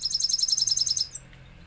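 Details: Caged Himalayan goldfinch singing: a fast, high tinkling trill of about a dozen evenly spaced notes in one second, then falling quiet, with a faint low hum underneath.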